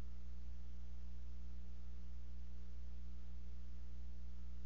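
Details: A constant low mains hum with a faint hiss fills the recording, and no animal calls can be picked out.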